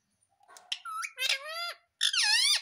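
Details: Pet Indian ringneck parrot giving three harsh, rich squawking calls, each a bent, nasal note lasting about half a second, the last one loudest and dropping in pitch at the end, in a quiet indoor setting.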